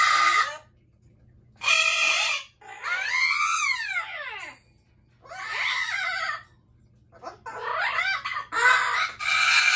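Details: Pet Amazon parrots screaming loudly: harsh, raspy bursts alternating with arching, rising-then-falling harmonic shrieks, each lasting about a second, separated by brief pauses, over a steady low electrical hum.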